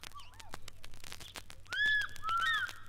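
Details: An African Fish Eagle at an East African lake or river gives loud, ringing, yelping whistles that swoop up and fall away in quick succession, with crackling clicks and a low hum behind.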